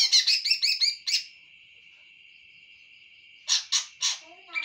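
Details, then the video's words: Greater green leafbird singing from below: a burst of harsh, rapid chattering notes, then a long steady whistled tone held for over two seconds, followed by several more loud rasping bursts spaced evenly apart. "cucak hijau "raja tega" pas di bawah"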